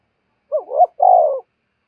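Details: A single spotted dove phrase used to incite fighting: two quick rising notes running into a steady, long coo that fades slightly at the end, clean with no other sounds.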